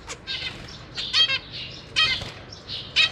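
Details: Zebra finch chicks in a cage on 6 May 2023, with 3 juveniles and 3 newly hatched young being fed by their parents, give harsh, raspy begging calls in short high bursts, about one a second, with faint rustling between.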